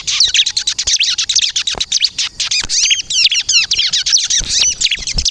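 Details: Busy 'kristal' song of a bar-winged prinia for luring birds: a continuous, very fast chatter of high scratchy chirps that turns into clearer looping whistled notes, with a few dull taps.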